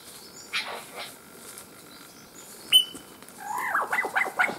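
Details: Albert's lyrebird, a male, displaying and calling in dense shaking foliage in Main National Park, Queensland, with mimicked calls in its repertoire. Faint scattered notes, a sharp whistle, then a quick run of loud swooping, rising-and-falling notes at the end.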